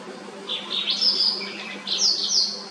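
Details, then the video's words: White-browed wagtail singing, with clear, rhythmic chirps and trills: high whistled phrases rising and falling in two bursts over a steady low background hum. "The white browed wagtail | . Its clear, rhythmic chirps and trills create a uplifting atmosphere,"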